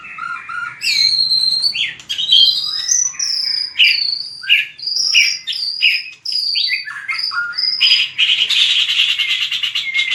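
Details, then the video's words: Contest-trained white-rumped shama delivering a long varied song: clear high whistles, quick slurred notes and trills in fast succession, ending with a dense harsh buzzy passage. "Luyện chòe lửa hót đấu/luyện giọng chòe lửa/kích lửa shama bird"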